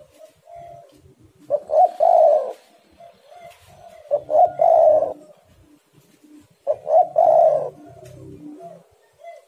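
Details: Spotted doves singing hard and challenging each other, a lure for getting doves to call: three deep, mellow coo phrases spaced about three seconds apart, each rising into a rolling double note, with quieter coos between.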